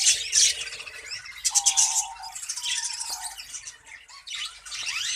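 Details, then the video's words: Several budgerigars in a breeding colony warble and squawk constantly; steady whistled tones sound twice in the middle under the busy high chatter. "Budgies Colony Progress"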